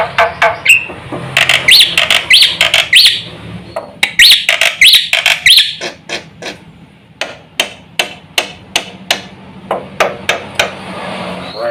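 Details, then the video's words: Black-winged myna (jalak putih) in full, lively song meant to provoke other mynas into calling: loud harsh chattering bursts, then sharp rapid notes and clicks repeated irregularly, with some broadband squawks. "suara jalak putih gacor full isian sekali pancing semua burung jalak ribut gacor"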